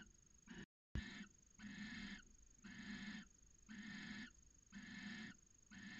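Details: Inside a nest box at Cabañeros National Park, Spain, a barn owl pair copulating in late January; rasping, hoarse hissing bursts repeat roughly once per second, each about half a second long, with a brief dropout near the start.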